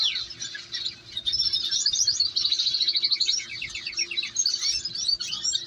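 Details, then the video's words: Canary chicks at feeding time beg insistently: a dense, continuous chorus of high, thin, rapid chirps from several nestlings, with fast repeated ticking runs. "KANARYA BEBELERİ mama vakti 2"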